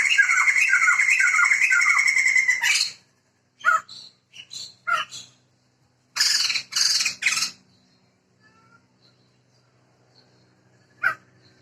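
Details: Male and female pair of Sumatran laughingthrushes, a protected bird endemic to Sumatra, giving loud, distinctive cackling song: a harsh, buzzy, ringing squawk series for nearly three seconds, then short broken bursts and chattering notes separated by silences.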